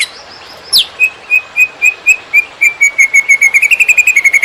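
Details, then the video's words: Greater green leafbird master song for training other birds: a sharp falling sweep, then level whistled notes that speed up into a rapid trill. "Cucak Ijo Konslet Tiada Lawan! Masteran Super Hot Buat Cetak Burung Lapangan"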